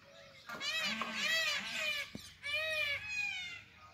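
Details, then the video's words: Indian peafowl in quiet jungle after rain gives two loud, drawn-out, nasal, ringing wailing calls, each about one and a half seconds, with a short gap between. "peacock song"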